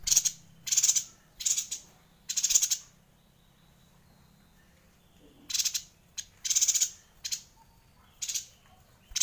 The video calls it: Suara Yuhina Gacor Ngerol panjang